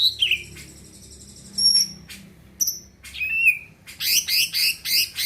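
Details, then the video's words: Varied song from a greater green leafbird singing hard to set other birds off. It mixes a downslurred whistle, long thin high tones and a falling slurred note, then ends in a dense run of rapid, repeated harsh chirps. "Cucak ijo gacor di jamin bikin yang lain ikut rajin bunyi dan emosi"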